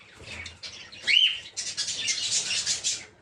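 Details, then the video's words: An aviary peach-faced lovebird gives one sharp, high screech, then a long burst of broad rustling, wing-like noise. "Peach-Faced Lovebird's Sounds"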